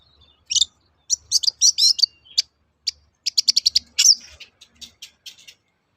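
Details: Long-tailed shrike in lively toet-toet lure song for provoking other birds to sing: rapid high chirps and twittering trills in quick clusters, then a sharp downward-sweeping note and scattered clicks.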